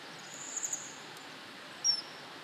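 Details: Common kingfisher, 1 April 2018, gives thin, very high whistles: a faint stuttered trio, then one sharper, piercing note, over a steady quiet background hiss.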